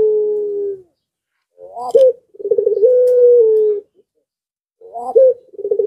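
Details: Breeding-condition puter pelung dove calling so that surrounding doves answer: low, throaty coos with a rising hiccup note, then a pulsed roll settling into a long, steady, slightly falling hum, repeated.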